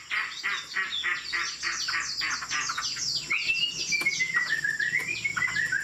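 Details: Hwamei, a tame bird singing from a high perch: dense scratchy, chattering notes for three seconds, then a clear wavering whistle that dips and rises.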